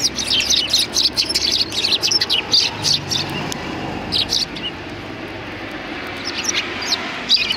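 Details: In front of a cultural hall on 7 February 2020, sparrows welcome with a lively flurry of high chirps that thins out after a few seconds, leaving scattered tweets and distant hum.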